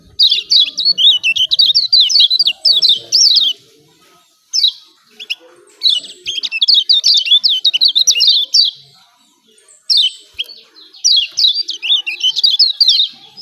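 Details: Lombok yellow white-eye's energetic 'ciak ciak' call, used as a lure to stir silent birds into calling: long runs of quick, sharp, high chirps in three main bursts, with brief quiet gaps between them.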